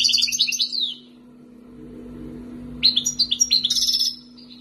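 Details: European goldfinch from the wild, kept two years, Algeria: two bursts of bright, jangling twitters and buzzy trills separated by about two seconds of silence, with a constant low hum underneath.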